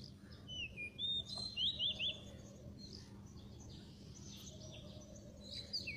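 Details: Oriental magpie-robin song used as a lure for trapping: clear whistled notes and quick zigzag trills early on, a quieter stretch, then a final high slurred whistle, over steady low background hum.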